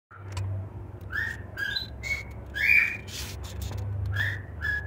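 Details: Cockatiel chicks from a nest in Juazeiro do Norte, Ceará, give short, rising whistled chirps around two kilohertz, several per second in loose bursts, over a steady low hum.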